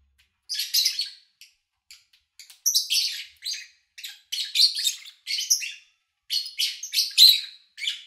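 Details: Captive lovebirds kept by an owner, recorded in August 2019 with little engine or human noise: bursts of shrill, scratchy high chirps in quick clusters, separated by brief pauses, growing busier toward the end.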